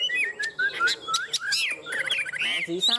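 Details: Fighting song of a caged Chinese hwamei from a tame pair: rising and falling whistled phrases, a quick rippling sequence of upslurred notes in the middle, then brief bright whistles to finish.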